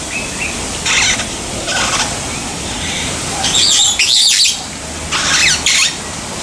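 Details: Long-tailed glossy starling (Lamprotornis caudatus) at Umgeni River Bird Park, Durban, 12 December 2015: about five harsh, grating squawks at irregular intervals over six seconds, with a faint high whistle early on and soft background hiss.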